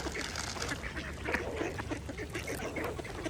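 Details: Mallard ducks feeding peacefully at a pond, giving dense, overlapping nasal quacks and soft chattering notes from several birds, with constant splashing and dabbling water sounds underneath.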